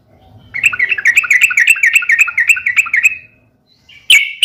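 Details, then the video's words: Yellow-vented bulbul fighting call to provoke rival bulbuls: an even series of about fourteen quick, bouncing chirped notes over three seconds, then a short pause and a loud sharp chip. "trucukan gacor SUARA UPLIK TARUNG ini AMPUH bikin burung trucuk gacor NYAUT EMOSI SEKETIKA"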